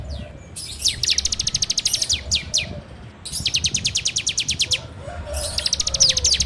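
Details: Bar-winged prinia song on an Android recording meant to train songbirds: three bursts of rapid, even, high-pitched rattling notes, each opening with a few swooping whistles, separated by short gaps.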